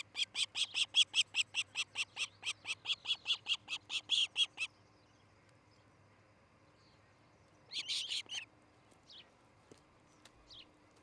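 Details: Nesting osprey in Charlo, Montana, on a July 2018 morning gives about twenty shrill whistled chirps in a steady run, then silence, a short harsh burst, and a few faint distant notes.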